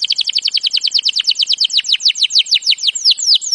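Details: Canary training song made of a rapid even series of bright falling whistled chirps, each repeated several times a second, slowing slightly toward the end.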